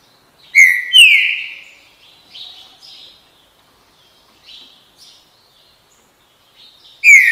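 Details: Green-winged saltator giving a loud burst of two or three descending whistled notes, followed by softer chirps from other birds, then the strong whistles return at the end.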